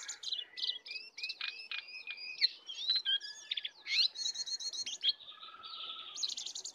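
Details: Sooty-headed bulbul duel, wild versus caged, carrying full isian song: a busy run of sharp high chips, clipped whistles and stacked buzzy notes, delivered almost without pause.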